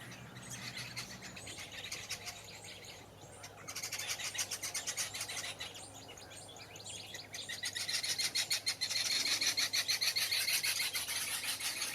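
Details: Roving party of Brown Babblers (Turdoides plebejus) in scrub and cultivation on the Allaheim River floodplain on the Gambia–Senegal border, December 2015: harsh, rapid chattering at about three notes a second, swelling in noisy bursts; faint low hum at start.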